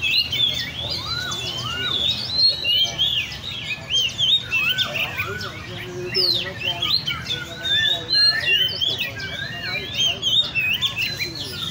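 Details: Caged Oriental magpie-robins gathered at a bird cafe in Lê Thị Riêng park keep up varied song: high sweet whistles over repeated lower arched notes, sung in quick overlapping phrases throughout.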